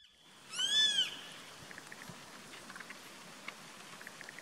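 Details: Grey-faced buzzard calling from a treetop on 14 April 2019: a single loud, high, arched whistle lasting about half a second and rich in overtones, followed by faint scattered chirps from other birds.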